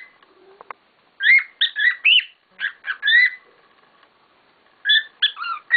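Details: Pet cockatiels kicking up a noisy chorus indoors: a few faint clicks, then loud rising and warbling whistles in two clusters with a quiet gap between them.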